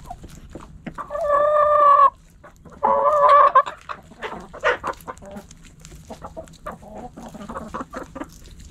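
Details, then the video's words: Backyard hens and roosters: two long, loud, steady nasal calls, each about a second, separated by a brief pause, then a patter of softer clucks and scratchy pecking noises. "Backyard Chickens Hens And Roosters Pecking Scratching Sounds Noises Hens Clucking Roosters Crowing!"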